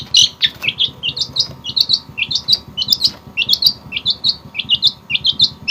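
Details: Javan long-tailed shrike, clear 'isian' fill-in song: an irregular stream of short, bright high chirps and twittering notes over a steady low hum.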